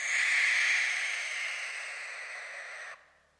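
Barn owl giving one long, harsh, hissing screech of about three seconds, loudest at the start and fading slowly before it cuts off.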